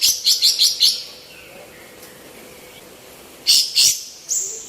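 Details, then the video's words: Female white-eared bulbul, vocal and used as a training recording for other birds. Gives a quick run of four high chirps, then a long quiet pause, followed by three more loud, sharp chirps near the end. "KAPAS TEMBAK BETINA GACOR"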